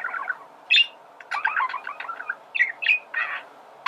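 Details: Male budgerigar warbling, meant to teach birds to sing; short chirps and buzzy chattering notes over a steady background hiss.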